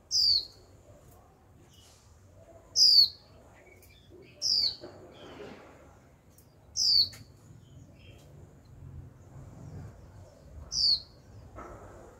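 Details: Young female Japanese white-eye, kept caged, calling 'chíu' again and again to stimulate a male to sing. Five crisp, high downward-sliding whistles at uneven gaps of two to four seconds, with quiet background.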